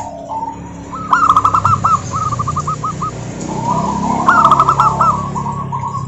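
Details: Local wild-type zebra doves singing to lure others: a loud burst of rapid staccato cooing with a rolled ending, a softer run of quick coos, then a second loud phrase over a murmur of more distant doves.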